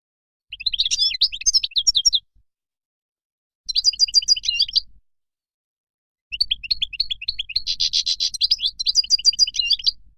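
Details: Goldfinch from Morocco delivering three fast warbled phrases of sharp chirps, trills and buzzy runs, the last phrase longest at nearly four seconds, with clean silence between them.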